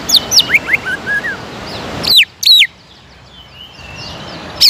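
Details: Greater green leafbird lure song meant to rouse rivals to sing continuously: quick, high whistled notes and warbles, two loud falling whistles after a sudden drop in background noise, then near-quiet.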